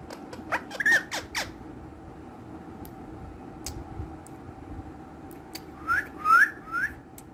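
A ringneck parrot gives short, rising whistled squawks, one early and three in quick succession near the end, with sharp tapping clicks in between.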